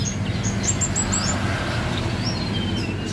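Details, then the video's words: Actively singing Javan tesia gives a quick series of short, very high whistled notes, then longer thin falling whistles, over a constant low droning background. "tledekan gunung gacor"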